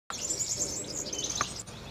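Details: European serin (Serinus serinus), song.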